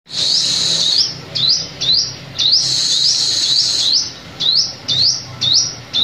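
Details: Sunbird calls used as a lure for trapping birds: sharp, high upswept notes alternate with longer, buzzy, sustained phrases. The notes come in quick irregular bursts over a faint low background hum.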